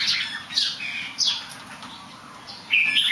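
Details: Bird known for fine singing despite a few somersaults gives brief chirpy whistled notes, a quiet lull, then a rising bright phrase at the end.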